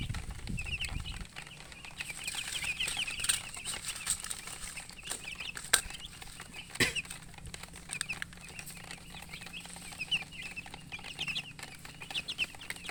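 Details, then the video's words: Baby chickens peeping as a group, a steady stream of thin, high chirps running on continuously, with a low thump at the start and a few sharp clicks. "MURGI Baby "Chicks Chirping" Sound"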